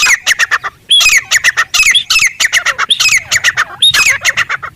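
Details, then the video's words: In desert habitat a wild francolin repeats harsh, scratchy squawk phrases. Each is a burst of quick notes, with short breaks between bursts. "خوبصورت تیتر کی قدرتی آواز"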